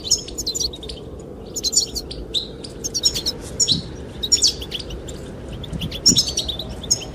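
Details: Goldfinch chirping to attract a female comes in scattered high, twittering bursts with pauses between, over a low windy background.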